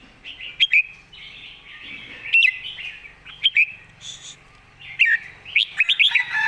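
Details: Red-whiskered bulbul master song, scattered loud whistled notes and short phrases over continuous twittering and warbling from several birds, ending with a quick run of four notes.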